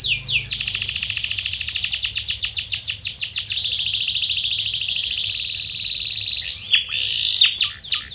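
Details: Canary singing a lure to encourage quiet canaries to sing: a long, rapid roll of clipped high notes blending into a smooth sustained trill, ending with a few sharp upswept chirps.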